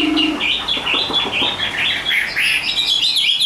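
A Chinese hwamei sings a fast, rich run of varied whistled phrases, rising and falling with bright high notes, delivered almost without pause.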